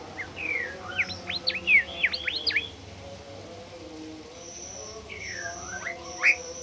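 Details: Bimoli bird, a shy species said to be nearly extinct, sings to a lure recording: a rapid cluster of steep up-and-down whistled slurs, a thin high drawn-out tone, then a few isolated sweeping notes.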